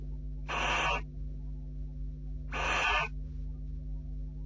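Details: Barn owls at a nest box on 6 July 2013 around 10:30, the male visiting a female who rejects his approach: two harsh, breathy hissing screeches about two seconds apart, each half a second long, over a steady low electrical hum.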